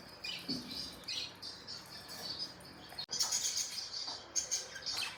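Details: Budgies chirp quietly in the morning. Quick, high, scratchy twitters repeat in short bursts, growing a little denser in the second half.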